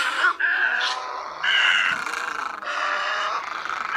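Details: Lure recording of great egret voices for night net traps in Vietnam, August migration season: rough, grating croaks run together into long, nearly continuous calling with small pitch shifts.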